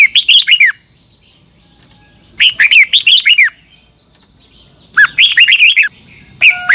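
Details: Morning competitive song of a red-whiskered bulbul, played as a decoy to spur birds to sing: three clusters of quick, liquid, up-and-down warbled notes, each under a second, separated by short pauses, with a thin steady whine behind.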